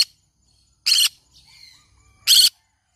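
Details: Two separate short, rough screeches from a green-cheeked conure pet, about a second and a half apart, with soft thin whistled notes between them in an otherwise quiet room.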